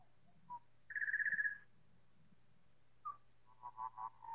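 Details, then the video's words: Four Pied Butcherbirds in chorus, slowed several times: a quick rattling trill of rapid pulsed notes, then a single whistle and a run of warbled mellow notes near the end, with soft low sounds. "4 Pied Butcherbirds singing in choir"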